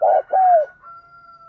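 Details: Decoy spotted dove cooing, used to prompt a decoy bird to coo quickly: two low, hollow coo notes, the second longer and falling slightly, followed by a steady faint electronic tone.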